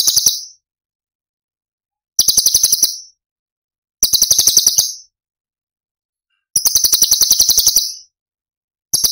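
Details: Masteran cucak cungkok, tembakan style from Cililin: about five fast, shrill, rattling chatter bursts, each near a second long, spaced roughly two seconds apart against silence.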